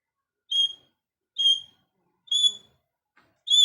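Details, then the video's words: Parrot repeating a single high, clean whistled note roughly once a second, four times, with nothing else audible. "parrot birds talking"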